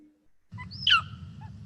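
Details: A Superb Lyrebird mimics a Wedge-tailed Eagle: one loud, thin whistle that slides sharply downward over a low steady rumble; this eagle call is often heard when eagles dive-bomb one another.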